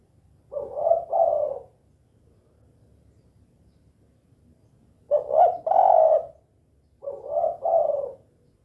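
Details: Spotted dove (tekukur), a lively caller in the 'kuk 2' call style, giving low, soft hooting coos in short two- to three-note phrases separated by pauses of several seconds, against a quiet background.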